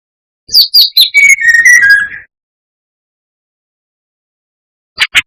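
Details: Brown-chested jungle flycatcher song played to enrage rival birds: rapid high chips descending into a warbled run of lower whistles. After a pause come two short sharp notes.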